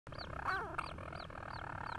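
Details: A 'singing' adult European storm petrel at a breeding site on Ramsey, recorded 31 July 2016, gives a steady, low, rough purring churr, with its chick's thin, high, arched calls repeating about three times a second.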